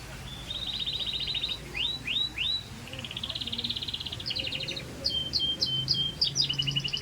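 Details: Song of a Scotch Fancy canary, beginning with a steady buzzy trill, then three downslurred whistles, another long rattling trill and a closing series of quick chips and trilled notes; low hum underneath.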